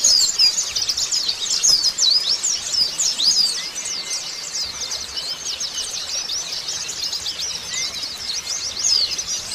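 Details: White-eye singing after its moult when stimulated: a long, unbroken stream of rapid, high, scratchy twitters and sweeping whistled notes, with faint thin tones in the background.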